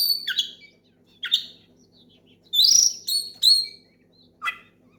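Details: Oriental magpie-robin singing loudly to call a rival and set other magpie-robins singing: separate sharp, harsh bursts sweeping down from high to mid pitch, then a bright whistled cluster and a final downward note, with gaps of silence between.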